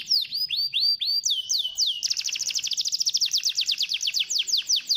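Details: Lure song of a canary, played to get a reluctant canary singing: a few looping whistled notes, then a long, rapid, even trill of sharp descending sweeps.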